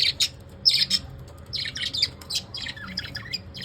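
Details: Pet lovebirds in the evening: rapid, high-pitched chattering squeaks and short shrill chirps in quick bursts, with a steady low hum in the background.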